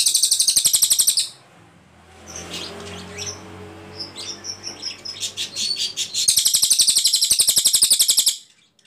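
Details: Ashy tailorbird song used as training material for other cagebirds: a rapid, buzzy string of high pulses opens and closes the passage, with quieter whistled notes and a faint low drone between the two long bursts.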